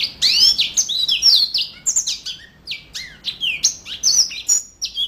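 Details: Yellow-fronted canary singing vigorously: a fast, continuous string of high, bright whistled notes and rapid trills, many sweeping up or down, with short buzzy chips between phrases.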